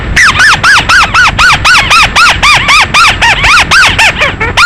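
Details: {'caption': 'Bird call used as a night-time hunting lure: a loud, regular series of arched whistled notes, each rising then falling, repeated about four times per second with no pauses.'}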